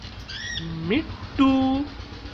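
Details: Small pet parrot trying to speak indoors: a few clear whistled tones, one rising sharply, then a longer flat nasal note, all within a couple of seconds in a quiet small room.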